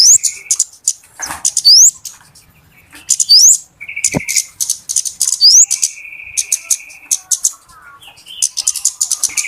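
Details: Flowerpecker (kemade, cabe-cabean) lure call used for trapping birds: busy, very high ticking chirps in quick bursts, sharp rising whistled slurs, and stretches of a steady lower buzzy tone.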